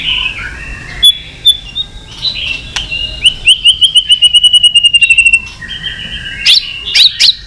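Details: White-rumped shama in fighting song: high whistles leading into a long rapid trill of even repeated notes lasting two seconds, followed by sharp calls.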